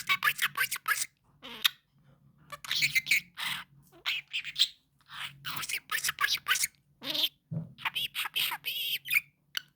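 A budgerigar chatters in rapid, buzzy bursts of mimicked speech mixed with high chirps.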